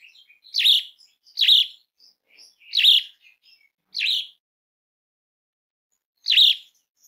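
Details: Asian pied starling giving harsh, buzzy, scratchy calls. Five short rasping bursts come about a second apart, then a pause of two seconds before one more. The background is otherwise quiet.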